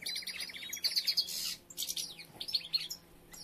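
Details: European goldfinches with females starting to collect nesting material, three nests underway; a short burst of bright twittering, a rapid rattling series, sharp high chirps and tinkling notes from several birds.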